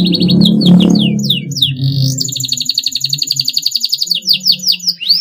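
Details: Canary's long song, meant to provoke rivals to sing, over loud low background noise at first: high chirps, a rising whistle, then a long, fast, even high trill and downslurred notes.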